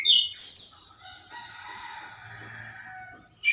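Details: Morning birdsong: two bursts of high, sharp chirps open the recording and another returns at the end, with a faint, steady murmur of softer calls in between.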